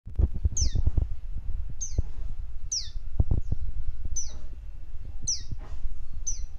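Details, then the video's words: Two baby tailorbirds kept as pet birds give thin, high, downslurred chirps about once a second, six in all, over a steady low rumble and handling noise. "Two Baby Tailorbirds Sound Effects | Baby Birds Sound"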